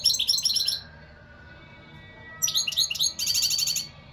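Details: Goldfinch singing bright, tinkling chatter: a fast burst of high chirps, a quiet pause of over a second, then two more rapid twittering phrases back to back.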